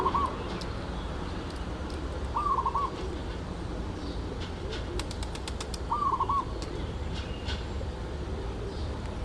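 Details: Zebra dove, locally merbuk or perkutut, singing short stuttering trilled coos: one at the start, then two more spaced about three and a half seconds apart, with sharp dry clicking sounds between them over a low rumble.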